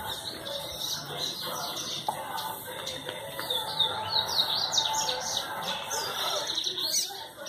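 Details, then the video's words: Double-collared seedeater singing, recorded 24 January 2019: quick twittering and chirped notes repeated irregularly in a rapid, busy series, over a steady background hum with faint knocks. "Papacapim cantando"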